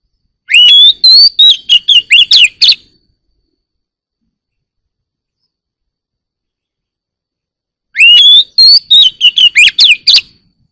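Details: Oriental magpie-robin singing in the morning: two matching phrases of about two seconds, each opening with clear rising whistles, then a quick run of sharp chirps and trills, with about five seconds of silence between them; no other sounds.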